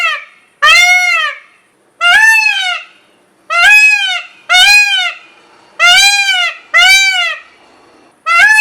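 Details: An Indian blue peacock gives seven loud, nasal, trumpeting screams, each under a second and arching up then down, repeated every one to two seconds.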